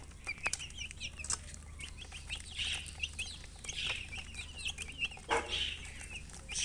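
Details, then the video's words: Poultry chicks thirsty for water, giving a steady stream of high, thin, downward peeps from many birds at once, with low background hum and occasional soft knocks. "Murgi chicks Chirping sounds with thirst for drink water"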